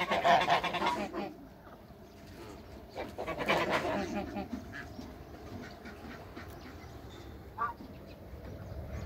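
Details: African and Toulouse geese meeting visitors on a farm: a few loud nasal honks early and midway, then fading to quieter background calling with one short honk later.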